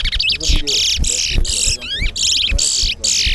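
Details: Chestnut-bellied seed finch, known locally as towa towa, in a bird singing competition at Guyana National Stadium, Guyana. Harsh buzzy phrases follow one another almost without pause, with a brief run of fast zigzag whistles and a murmuring crowd beneath.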